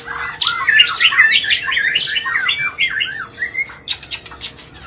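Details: Agitated white-rumped shama pouring out a fast, scratchy run of squawky, twisting notes at a rapid pace, closing with sharp dry ticks; sung non-stop to provoke rival birds.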